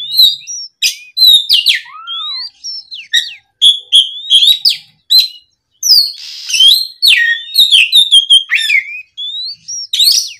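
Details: Afternoon song of a lively oriental magpie-robin played to lure young birds into answering: rapid rich whistles, upslurs and downslurs, sharp chips and one lower slurred note, delivered in busy irregular bursts.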